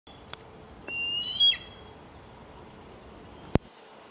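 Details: Fledgling eagle calling in Gloucester, Massachusetts, in July 2024: one brief, high, thin whistled note that rises and then wavers, followed by silence, with a single sharp click near the end.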